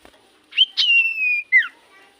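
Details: Common iora song used to provoke singing in response: a sharp introductory note, then a long steady whistle slowly falling in pitch, ended by a quick downslurred whistle.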